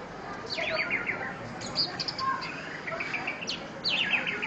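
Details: Male orange-headed thrush in song, giving varied high whistled phrases, some falling slurs and short repeated notes, with a low steady background hum.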